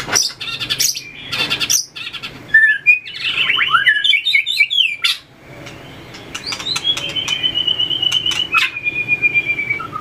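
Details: Caged white-rumped shama training its competition fighting song: rapid sliding whistles and trills, then a long fluttering steady whistle, with repeated clicks and taps.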